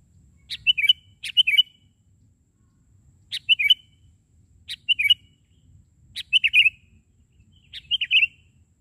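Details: Sooty-headed bulbul singing energetically from the ground rather than a branch; six short liquid whistled phrases, each a quick tumbling set of notes, spaced irregularly with pauses of about one to two seconds, quiet background.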